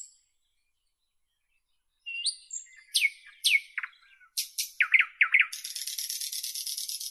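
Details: After two seconds of silence a nightingale begins with soft whistles and downslurred chirps, speeds into rapid stuttered notes and finishes with a long, high, buzzing rattle.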